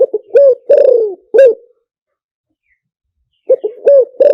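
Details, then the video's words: Wild spotted dove cooing, a lure call for wild doves; loud, hollow low coos in a quick three-part phrase, then a pause of about two seconds before the phrase starts again. "เสียงนกเขาใหญ่ 3 กุกห้อยป่าแท้ เสียงชัด"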